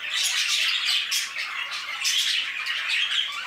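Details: Budgerigars in an aviary produce a steady wall of chirping, warbling and scratchy squawks, with several louder bursts standing out from the flock.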